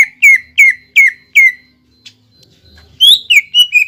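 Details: Greater green leafbird, a song used to prompt a caged bird into singing: four loud whistles sliding downward, evenly spaced, a quiet gap, then quick chattering whistles climbing and falling.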